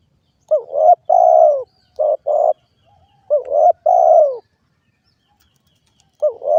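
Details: Spotted dove (derkuku) repeating its two-part coo, a rising note followed by a long falling one, with a pair of short notes between phrases; quiet surroundings.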